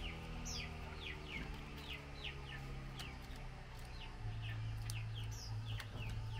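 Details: A female Chinese hwamei gives quick, descending chip notes to call the male during a mealworm feeding, repeated at an uneven fast pace, with low droning hum and occasional clicks behind.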